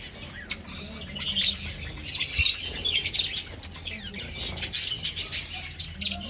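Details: Aviary finches in a breeding colony, hunting for a nest, keep up continuous high twittering and squeaky chirps, with one brief knock midway.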